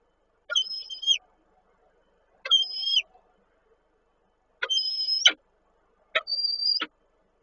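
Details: Male peregrine falcon in Koszalin, Poland, calling the female on 8 March 2023: four separate calls about two seconds apart, each a high whistled tone with a lower parallel band, bracketed by abrupt descending strokes.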